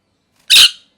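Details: Pet parrot in molt with missing feathers, letting out one loud, harsh, broadband screech lasting about a fifth of a second, then quiet.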